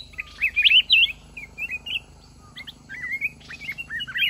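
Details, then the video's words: Red-whiskered bulbul at a lure-trap fighting contest with a caged decoy bird kept one month; lively whistled phrases of bouncing, slurred notes, a quiet pause near two seconds, then another rapid warbled burst, low hum beneath. "Chào mào núi bẫy đấu"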